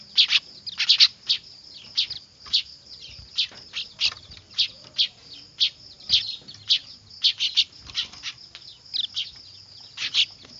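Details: Noisy young weavers (manyar), recorded as a lure sound for bird catching: dense, rapid high chirps repeated several times a second, often in quick doublets and triplets, over a continuous faint high-pitched hum.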